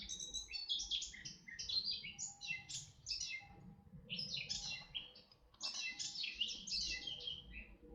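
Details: Red-backed shrike in Orduña, Bizkaia, Spain, 2025: dense bursts of harsh, rasping high chatter in two long runs split by a short gap, with a steady low background rumble.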